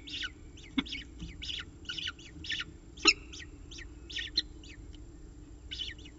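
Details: At a nest ledge monitored by camera in Orange, New South Wales, a peregrine falcon calls during a morning feeding: rapid, grating, chattering notes repeated irregularly, several per second, with a few sharp clicks and a low steady hum beneath.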